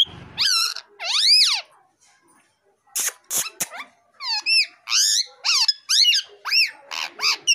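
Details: A male plum-headed parakeet kept at home utters rising-falling arched whistles, a pause with sharp clicks, then a rapid run of about ten looping whistled notes, each an up-and-down sweep, in a quiet indoor setting.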